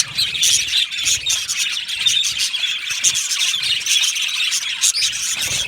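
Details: Colony of budgerigars kept in an aviary, constant squealing and twittering chatter, many birds calling together with sharp squeaky bursts.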